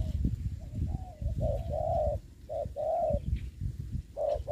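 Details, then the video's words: Spotted dove used as a ground decoy for trapping, cooing in soft mellow notes and pairs partly masked by loud low-pitched thumping and rustling noise. "bẫy cu gáy cùi bắp clip17(bẫy cu gáy mồi đất ) đánh cu gáy"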